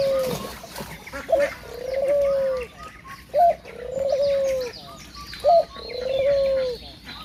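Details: A dove outdoors at about 6 a.m. coos in low, soft phrases: a brief hooted note, then a longer drawn-out coo, repeated about every two seconds, with faint chirps of small birds behind.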